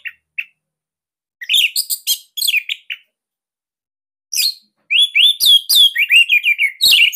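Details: Loud, tight song of a captive Bali-type Orange-headed thrush, used as a master for young or silent birds: short separate chirps, a pause, then fast rolling phrases of bright, slurred whistles, repeated several times a second.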